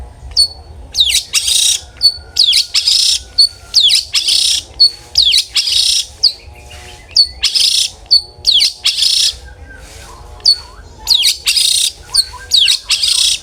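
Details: Long-tailed shrike in ngeplong song, meant as a lure to get shrikes singing: loud rasping broadband bursts alternating with short clear high whistled notes, roughly one phrase every second or so.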